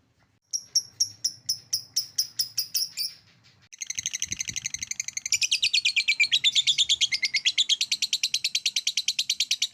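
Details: Lovebird ngekek, a trill meant to stimulate other lovebirds: a few spaced sharp chirps, a short pause, then a long fast grating chatter of high notes that grows louder toward the end.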